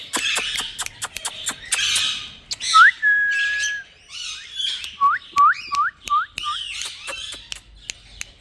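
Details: Green Indian ringneck parakeet kept as a pet, talking: harsh scratchy squawks and clicks, then a rising whistle drawn into a long flat tone, followed by a quick series of rising whistled notes and more chatter.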